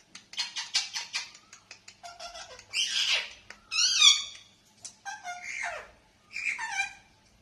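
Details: Parrot calling busily indoors: a rapid chatter of short ticks and chirps, then a series of loud, rasping, descending squawks and nasal calls at irregular intervals.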